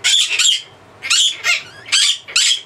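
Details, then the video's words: Male pet blue-crowned parakeet in a shrieking bout, said to last about three minutes and usually at dusk: four loud, raspy screeches, some doubled, repeated about every half second to second. "How loud is a Blue Crown Conure"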